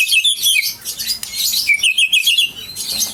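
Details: Aceh white-rumped shama in full song: rapid high twittering phrases and quick whistled notes tumbling together, several bursts in a few seconds, loud and clear over a quiet background.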